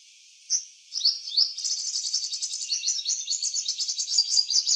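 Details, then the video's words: Purple sunbird in eclipse plumage singing in a garden: a short high note, a rising whistle, then a fast continuous high-pitched twittering warble of rapid trills and chips sustained for several seconds. "Purple sunbird in eclipse plumage singing different songs"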